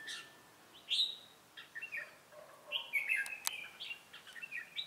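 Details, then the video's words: Red-whiskered bulbul singing Ché-style as a call bird for trapping, 25 June 2018: scattered high, quick whistled phrases with sharp slurred notes, fairly faint over a steady hiss. "Bẫy chào mào Ché cười"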